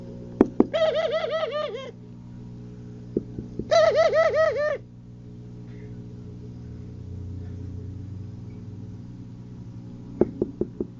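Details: Two rolling, pulsed pigeon coos about two seconds apart, each roughly a second long, with scattered clicks and taps and a constant low background hum.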